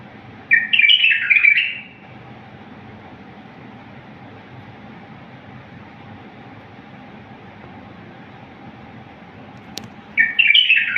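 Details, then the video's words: Bulbul singing in the wild style, a pure recording for tutoring bulbuls: a rippling whistled phrase of about one and a half seconds, a long eight-second pause with a faint click, then the phrase begins again. "تغريد بلبل طور وحشي"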